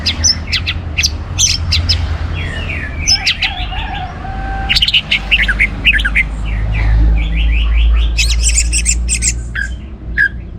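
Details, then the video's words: Orange-headed thrush, Singaraja in northern Bali, singing to trigger song in other birds: a long rambling string of varied chirps, whistles and slurred notes, with a humming low background. "ANIS MERAH Gacor Untuk Memancing Burung Jadi NGeplong Bahkan Teler"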